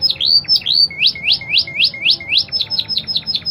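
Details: Spanish Timbrado canary in full song, clear crystal voice suited as a tutor for other canaries: a fast series of upward-sweeping whistled notes, about four per second, ending in softer descending chips.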